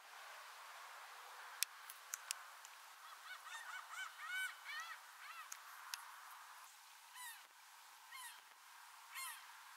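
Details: Several Laughing Gulls, bathing in Texas in spring 2021, give overlapping nasal, yelping calls in a busy mid-clip burst, with sharp splashes and clicks early on and steady background hiss.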